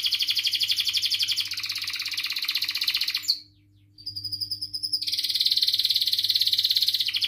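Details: Long canary song used to stimulate and train young caged canaries to sing: rapid buzzing trills that shift in speed, a short pause, a pure ringing whistle held for about a second, then another fast rolling trill. A faint steady hum runs throughout.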